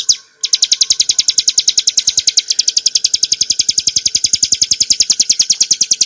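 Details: A hill prinia (described as ciblek gunung) gives a fast, even run of sharp, buzzy chips, about seven per second, held steadily for several seconds, with no other sounds standing out.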